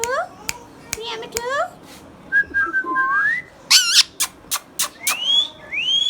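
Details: Green Indian ringneck parakeet, a hand-tame pet, talking: short harmonic speech-like bursts between sharp clicks, then a level whistle sliding upward, more clicks, and two rising whistles at the end.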